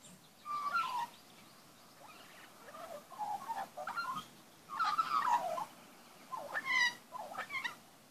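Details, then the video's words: Magpie song in a backyard during feeding of young. Repeated bursts of bright, fluting whistles and warbles come in several short phrases about a second apart. "magpie young backyard feeding n singing"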